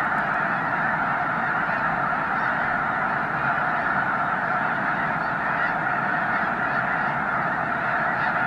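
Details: Snow geese at peak spring migration, Loess Bluff National Wildlife Refuge, March 3, 2021, with over 360,000 counted that day: a vast flock gives a steady roar of overlapping high, nasal barking honks that never pauses.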